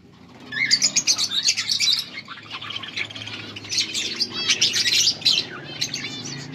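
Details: Mating calls from a breeding budgerigar pair, August 16, 2024: rapid chirps about four per second early on, then busy warbled chatter with scratchy notes and a faint low hum underneath.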